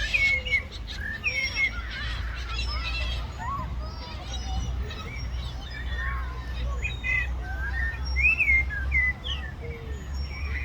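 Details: A flock of gulls fighting over food trades shrill, squealing cries and short yelping notes that overlap in a constant squabble, over a steady low rumble of wind or distant traffic.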